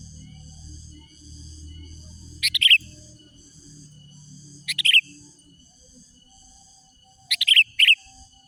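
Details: Sooty-headed bulbul, a lively singer used to lure and challenge rival wild bulbuls: three bursts of two or three chattering, bubbly notes, roughly every two and a half seconds, over a steady high hum.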